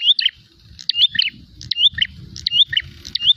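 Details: Prinia fighting call: a few separate phrases of shrill chirps ending in a rising whistled slur, spaced about every half to one second, with faint low background noise.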